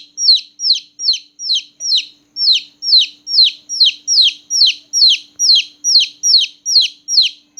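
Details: Newborn baby chickens peeping loudly at night, a rapid string of sharp descending chirps, roughly two every second, evenly spaced over a soft constant hum.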